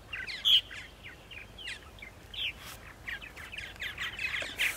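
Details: Purple martins at nest sites in Center Moriches, Long Island, New York, on an April spring morning; scattered chirps and gurgles from several birds, one loud note early, with faint clicks.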